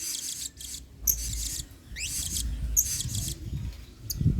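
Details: Blue-crowned hanging parrot singing energetically in the singa style, a model song for training other birds; rapid shrill buzzy bursts with a quick rising squeaky sweep in the middle, over a noticeable low rumbling background.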